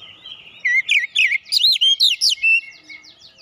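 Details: Oriental magpie-robin with a fighter character delivering a rapid series of bright, looping whistled notes, about eight in quick succession, followed by a softer trailing twitter.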